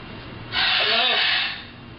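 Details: A talking macaw gives a single breathy, hissing "shhh" lasting about a second, steady and airy, as if telling another parrot to shush, against a quiet background.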